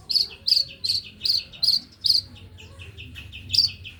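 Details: Male white-rumped shama in fast, dense singing. Short bright chattering bursts repeat about every half second, each a tight cluster of high notes, over a steady low background hum.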